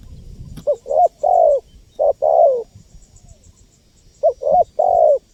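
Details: Spotted dove cooing, a recording used to lure wild birds. Three phrases of soft, low, hollow coos. Each phrase has short clipped notes and then a longer drawn-out coo that slides downward. A gap of about two seconds separates the last two phrases.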